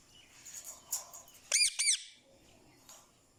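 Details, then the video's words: Lively pet ringneck parakeet, kept as a talking parrot speaking Urdu and Hindi: soft chirps lead into a loud pair of shrill, harmonic squawks, each rising then falling, followed by quieter chatter. "So Energetic Ringneck Talking Parrot"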